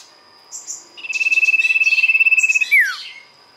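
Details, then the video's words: [['Golden-bellied gerygone (sirtu) singing for use as a lure: brief high notes, then a rapid rattling trill of about twenty pulses at constant pitch, finishing with a swift descending whistle.']] "pancingan sirtu gacor"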